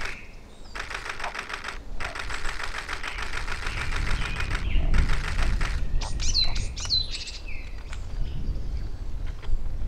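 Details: Eurasian wren singing at Ōbora spring by Lake Yamanaka, Japan, on 21 April 2019: two long, dense rattling trills with a short pause between them, then clear high whistled slurs. A low rushing roar runs underneath throughout.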